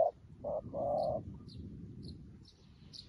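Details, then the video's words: Spotted dove as a decoy calling to wild doves, newly trained; a short coo and then a longer drawn-out coo, followed by scattered thin chirps from small birds in the background. "លលកថ្មីមែន តែធ្វើហៅព្រៃដូចធ្នាក់ចាស់"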